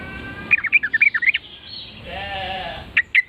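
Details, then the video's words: Yellow-vented Bulbul (trucukan) reacting to a lure call with a lively, gurgling run of rapid chirps, a pause over faint background noise, then two sharp single notes. "trucuk langsung NYAUT GACOR dor setelah mendengar pancingan burung trucukan ini"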